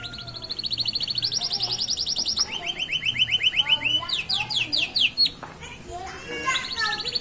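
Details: Canary fledglings singing beside a road in a rhythmic pattern: fast trilled rolls of high notes switching between pitches, some rising sweeps, moderate background noise.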